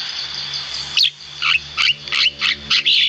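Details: A Javan myna (jalak kebo) giving a run of six harsh, rasping chatter notes roughly every third of a second after a quiet start, against a faint steady high whine.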